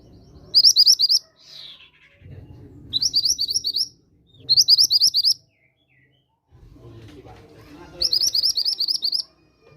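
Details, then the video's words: Mantenan gunung lure call, used to stimulate the birds to sing, delivers four short bursts of rapid, high, sharp chirps, each about half a second long, with low rumbling background noise between them. "Pancingan bunyi Burung Mantenan Gunung"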